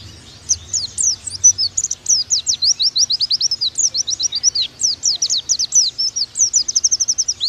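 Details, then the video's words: Oriental white-eye of the Bakalan type singing a long, rapid, unbroken stream of high, thin, sliding whistled notes, several each second, rising in intensity after a soft opening. "Pleci Bakalan Nembak"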